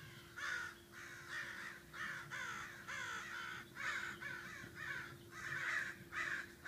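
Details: Agitated crows in a morning group call with harsh caws repeated roughly every half second to second in an insistent, overlapping series from several birds. A constant faint hum sits in the background.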